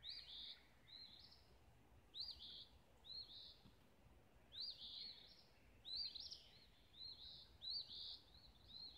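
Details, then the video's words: Sunrise birdsong in Olivehill, Tennessee: short high sweet phrases of quick slurred notes, repeated roughly every second or so with brief pauses, over a faint low background hum. "Sunrise melody of birds"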